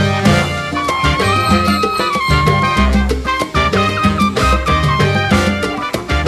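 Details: Loud brass-driven salsa music with a pulsing rhythm section and no animal sounds.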